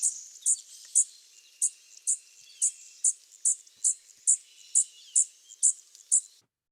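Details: A fledgling Blue-winged Warbler gives quiet, high, thin, buzzy "dzit" call notes, about two per second, over a faint hiss.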